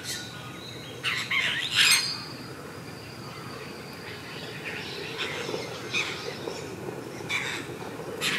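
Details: Apostlebirds (Struthidea cinerea) at their mud nest, Carnarvon Gorge, Queensland, Australia, 22 July 2019, 07:25 morning: harsh, scratchy chattering in irregular bursts, loudest near the start, with softer grating notes following over a steady outdoor hiss.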